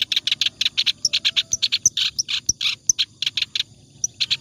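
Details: Clamorous reed warbler singing ngacor style, continuously, as tutoring material for other birds: rapid harsh, throaty chattered notes alternating with thin high squeaky whistles, delivered without pause.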